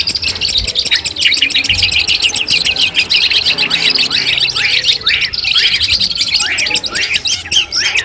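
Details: Long-tailed shrike (cendet) sounds in a masteran set used as a mental test ahead of a contest: rapid series of sharp downward-sweeping squeaky notes, repeated in bursts, with other thin chirps behind.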